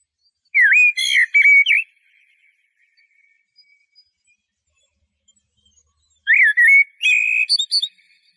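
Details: Two separate song phrases from a Eurasian blackbird, about five seconds apart. Each is a flowing fluted warble with a thin, high-pitched flourish at the end, and there is silence between them.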